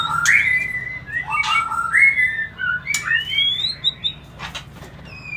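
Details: White-rumped shama song played to make birds mate sooner: rich whistled phrases sliding up and down, clipped calls and crisp clicks, fading to softer high notes.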